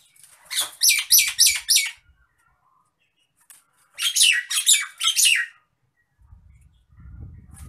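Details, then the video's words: Nias hill myna in an agitated state, belting out two rapid runs of four or five harsh, grating notes each, separated by a pause of about two seconds, with faint low rumble at the end. "MASTERAN BURUNG JALAK NIAS NGAMUK"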